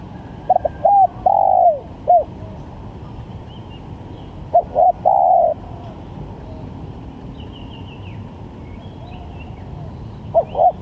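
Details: Spotted dove cooing as a varied lure call for trapping: phrases of a few short hollow notes followed by a longer drawn-out coo, repeated twice and begun again near the end, with faint higher chirps of other birds and background hiss.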